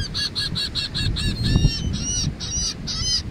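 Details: Wild gulls flying overhead while being fed at the beach in Atlantic City, New Jersey, USA give harsh, nasal squealing calls in a rapid series, about four per second, overlapping; low rumbling wind or surf underneath.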